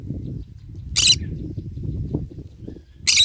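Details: Green-cheeked conure in the morning sun while eating and basking, giving two loud, rasping, high squawks about two seconds apart over a soft low background murmur.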